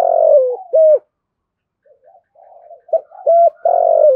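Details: Spotted dove calling and cooing to trigger calls from other doves. Opens with a long falling coo and a short note, then a silence and faint murmurs, before short coos and another long drawn-out coo.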